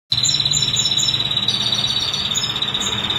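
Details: Female ashy prinia singing without pause over a 22-second stretch: rapid, thin, high chips and short notes repeated in quick succession, with a steady high electronic whine beneath.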